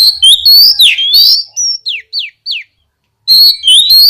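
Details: Oriental magpie-robin singing vigorously to spur other magpie-robins into song: rich, rapid whistled phrases, then three separate downslurred whistles, a silent pause, and a renewed burst of fast varied notes.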